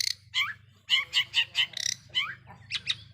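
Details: Long-tailed shrike lure song meant to provoke rival shrikes; short varied phrases of harsh buzzy notes, slurred downward whistles and chattering bursts in quick succession, a low hum underneath.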